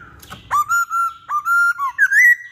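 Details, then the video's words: Masked laughingthrush singing vigorously, used to lure other birds: a fast series of loud, clear whistles, mostly level with sharp upswept starts, finishing on a long rising and wavering note. "Burung Poksay Hongkong Gacor"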